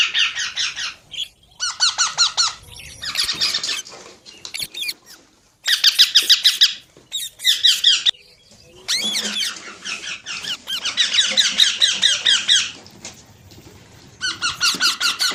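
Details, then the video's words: Parrot chatter in repeated bursts of fast, harsh high chirps, each lasting one to two seconds, separated by quiet gaps, with some faint low noise in places. "Amazing Parrot Talking Sounds Videos | Parrot Voice| Mitthu Ki Awaaz | Parrot Ki Awaaz"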